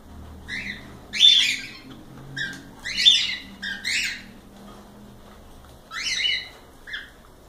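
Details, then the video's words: Cockatiels in a live stream, giving a few loud, broad, scratchy squawks about every second or two, with softer chirps and a faint low hum underneath. "Calopsitas Live Canto dos pássaros"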